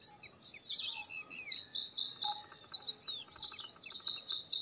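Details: Purple sunbird song beginning with squeaky, twisting twitters, then breaking into a quick, bright rattle of high repeated notes, with more jumbled twittering at the end.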